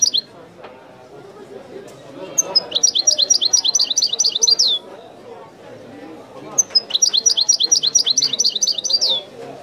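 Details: European goldfinch delivering authentic Wideni-style song: two long bursts of fast, evenly repeated tinkling notes, each opening with a sharp high whistle and separated by a short pause. Faint background chatter throughout.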